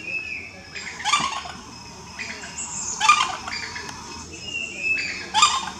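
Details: Sri Lankan junglefowl (Gallus lafayetii) at Kitulgala, Sri Lanka, giving short, harsh, raspy bursts about every two seconds, with a thin steady whistle from another bird in the gaps.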